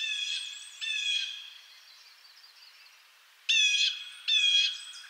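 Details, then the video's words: Blue jay of eastern North America giving harsh, buzzy calls rich in stacked harmonics, two at the start and two more louder ones near the end, with a quieter stretch of softer notes in between. "Blue Jay Sounds"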